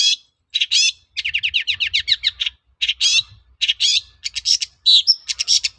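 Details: Energetic long-tailed shrike song played to draw answers from other shrikes; fast run of rhythmic rising chirps, then loud buzzy phrases and high whistled notes, with a faint low rumble beneath.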